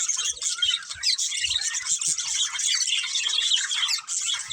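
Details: Breeding pair of budgerigars giving a dense, continuous stream of high, scratchy chirps and warbling chatter, with quick squeaky notes overlapping almost without pause and a few soft low thumps underneath.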